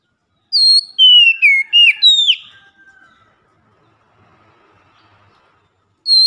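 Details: Loud daily lure song of an Oriental magpie-robin (kacer) in 'ngeplong' style: one burst of pure, descending whistled notes ending in a sharp flourish, then near silence before the next phrase begins.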